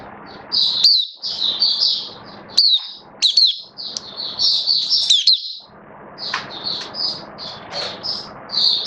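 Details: Hobby-kept oriental white-eye in a cage, in build-up singing form, 19 September 2022: long run of rapid, high-pitched chattering and twittered notes in bursts, with a brief pause midway and faint background hiss.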